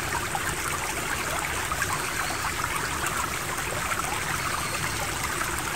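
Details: Steady rushing of a stream or small waterfall fills the whole recording, with no animal calls standing out.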